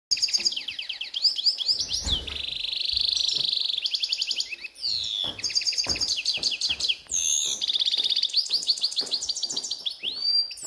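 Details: A grey-headed goldfinch in a ravine sings a fast, continuous twittering song of bright high trills, tinkling notes and buzzy drawn-out phrases, with brief pauses between bursts.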